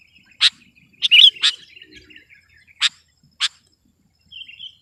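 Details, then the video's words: Sooty-headed bulbul singing in a chatty contest style to dominate opponents: isolated sharp, explosive chips about a second apart, separated by soft, thin warbling, with a short rising warble at the end. "Suara burung kutilang gacor || menekan lawan 100%"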